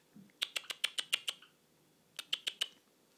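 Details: Pet Java sparrow during its morning free-flight time indoors, giving quick, sharp ticking notes: a run of seven, a pause, then four more, about five per second, in an otherwise quiet room.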